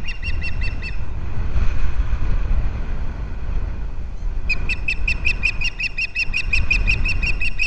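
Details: Osprey on a Captiva nest rebuilt after a hurricane, February 11, 2023, the male arriving with fish for his mate. A few shrill chirps, a gap of wind noise, then a long, steady run of rapid, high whistled notes.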